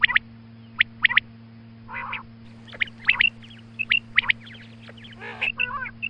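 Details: Female quail calling at morning time with sharp high whistled notes, a few nasal buzzy bursts and a short wavering phrase near the end, above a constant electrical hum.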